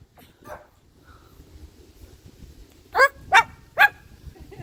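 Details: A Moluccan cockatoo, excited at spotting a favourite neighbour dog while out on a walk, mimics a dog, giving three loud, harsh barks in quick succession as if barking at it.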